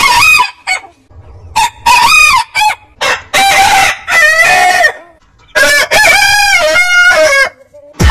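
Rooster crowing: several loud, harsh cock-a-doodle-doos, the longer ones stretching over a second with a drawn-out wavering end, following one another in quick succession.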